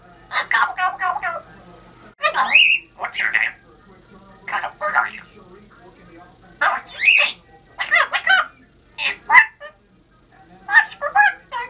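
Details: Pet female Congo African grey parrot talking indoors for a Happy New Year greeting, producing clusters of clipped speech-like syllables and a few whistled rising notes over nearly twelve seconds.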